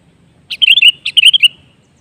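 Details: Lure song of a sooty-headed bulbul, played to prompt other birds to sing actively: a single bright, bubbly phrase of quick liquid whistled notes with a short break midway, ending in a trailing fading note over quiet low hum.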